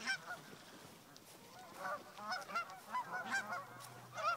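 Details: Several geese calling on a Colorado lake: a steady series of short, nasal honks, some rising, some falling, arriving in quick bursts roughly every half second, with a faint low hum underneath.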